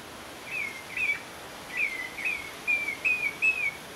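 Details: In the Bahamas, a Bahama Mockingbird gives a run of about seven short, clear, slurred whistled notes, several dipping in pitch, over a steady soft background hiss.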